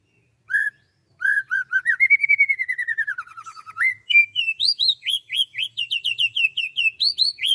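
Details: Bird singing on a morning in rice fields: clear whistled notes, a long rapid trill gliding up then down, then fast repeated rising high chirps in series.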